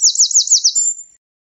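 A Eurasian wren sings a loud, very high burst: five quick downslurred notes at about six per second, ending in a thin trill.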